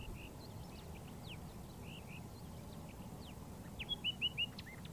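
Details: A pair of Layard's warblers (tit-babblers) foraging together in bushes on a dry Karoo farm near Hanover, Northern Cape, South Africa, singing softly to each other: scattered quiet chirps and slurred notes, then a brighter quick run of four or five rising whistles.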